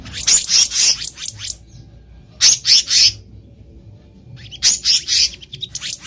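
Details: Black-naped monarch in the wild, used as a lure for trapping birds: bursts of sharp, high chattering notes in quick runs of five to eight, separated by pauses of about a second.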